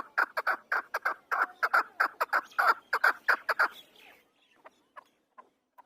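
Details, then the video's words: Afghani chukar partridge, called a hunter's chakor, calling in a rapid run of about sixteen clucking chuck notes over four seconds, then a few fainter, spaced notes as the series fades. "Afghani chakor voice | Hunter Afghani chakor sound | chakor ki awaz | chakor bird sound"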